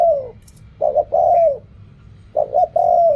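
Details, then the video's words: Reak kham and khu kham style cooing from a spotted dove: a falling coo tail, then two phrases of a clipped double note leading into a long descending mellow coo. A soft faint chirp is audible once. "เรียกคำ คูคำ อกร่อง เสียงนกเขาใหญ่"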